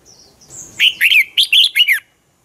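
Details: Red-whiskered bulbul used as a lure bird, singing dueling song: a thin high whistle, then a burst of about six loud, liquid whistled notes sliding up and down, ending abruptly.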